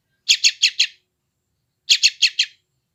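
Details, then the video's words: West Java phone recording of a yellow-vented bulbul chick, intended to train newly trapped wild birds: two quick runs of four rasping, buzzy chirps each, about one and a half seconds apart, against silence. "SUARA BURUNG ANAK TRUCUKAN GACOR"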